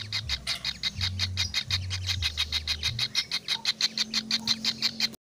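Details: Young kingfisher giving a fast train of rasping, squeaky notes, roughly three each second, sharp and fairly regular. A deep droning hum with shifting pitch sits beneath the calls throughout.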